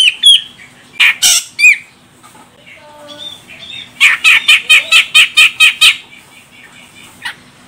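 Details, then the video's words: Female grey-cheeked bulbul of the Medan, Sumatra form, used as a lure to make males sing: a few loud squawks and an upslurred whistle, then a run of nine rapid, grating notes. "Cucak Jenggot Medan Betina Ini Bikin CJM Jantan langsung Koar Koar"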